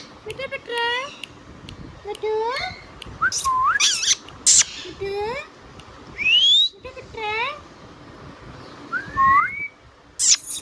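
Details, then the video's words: Talking pet Indian ringneck parrot: repeated speech-like harmonic phrases that curve upward, mixed with clear rising whistles and sharp high squeaks. "Ringneck Parrot Talking Sound video | Indian Ringneck parrot natural sound"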